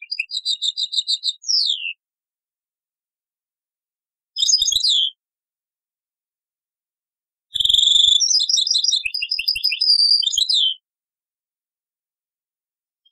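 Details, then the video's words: European goldfinch song in the taqsrayn style, taken from an old cassette: bright, high, rapid tinkling and twittering phrases in three bursts, fast repeated notes, separated by silences. "تغريد تقصراين من كاسيت قديم"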